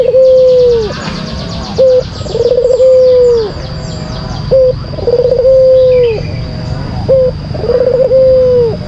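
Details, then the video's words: Repeated lure song of a white collared dove: short clipped coos alternating with trilled, drawn-out low coos that fall at their ends, about every two to three seconds, with high twittering of other birds behind. "Pancingan Puter Putih Terampuh , Full Gacor"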